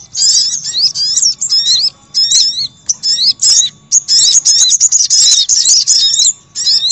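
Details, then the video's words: Little spiderhunter, busy lure calls meant to attract wild birds: quick, high, squeaky twitters in uneven bursts, closely packed, with brief silent gaps. "Suara Pikat Burung Sogok Ontong Ribut"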